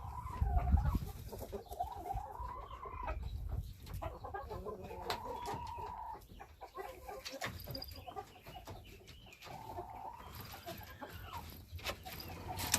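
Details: Rooster heard through steady low rumbling background noise, with several drawn-out, mid-pitched tonal calls, each about a second long with slight rises and falls, spaced every few seconds.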